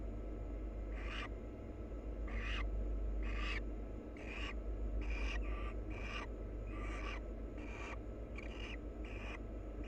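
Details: Wild barn owl pair preening each other: a series of short, breathy, rasping hiss-like bursts, about one per second, some in quick doubles, over a steady low hum and background noise.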